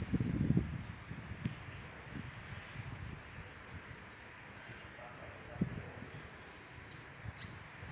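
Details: Jilguero finch giving a full 'completo' song, high-pitched and fast: bursts of bright chirps and descending slurred notes strung into long rapid runs, pausing briefly, then resuming, with faint low knocks in the background.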